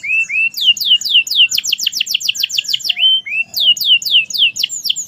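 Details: Canary singing merlok style: a pair of slurred whistles, a run of sharp downsweeping notes, a fast rattling roll, a level whistle, then more bright descending notes.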